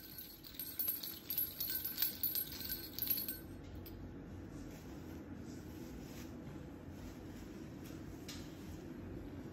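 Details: Faint metallic chiming and clinking for a few seconds, then only quiet, low background noise.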